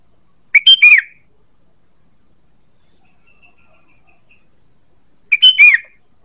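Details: Two phrases from a sooty-headed bulbul used to lure birds, each a fast cluster of sharp notes closing on a falling slurred whistle, about five seconds apart, faint high twitters in the gap.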